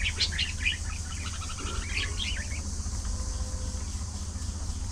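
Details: Budgerigars in a social colony chattering: quick warbled chirps and short rising notes in a burst over the first two and a half seconds, then quieter, with a steady low hum underneath.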